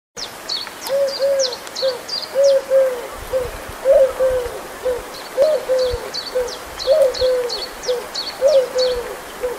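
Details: Eurasian collared dove singing at Locmaria, giving low, soft three-note coos repeated steadily about every second and a half, while bursts of high, thin chirping from another small bird sound in the background.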